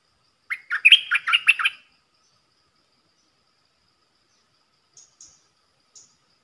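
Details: ['Red-whiskered bulbul kept as a decoy to lure wild birds and train youngsters, pouring out one rapid burst of about seven bubbly warbled notes, followed by a few faint high ticks after a long silence.']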